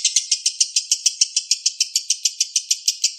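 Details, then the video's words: Lovebird balibu master song: evenly spaced, bright chirps, roughly three to four per second, each short and buzzy, with no other sounds. "MASTERAN LOVE BIRD BALIBU Terbaik Sangat Mudah Di tirukan"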